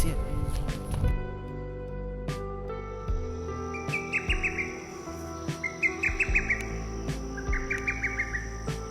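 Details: Lesser Cuckoo singing from a pine tree in the rain at a campsite on Doi Ang Khang, northern Thailand, during the rainy season. Three quick phrases of five to six staccato notes arrive about every two seconds over steady background music.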